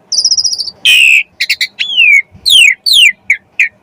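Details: Asian pied starling in rich, varied song, meant to prompt other starlings to sing: a fast, high trill, then a harsh burst, clipped notes, and long whistles sliding steeply downward.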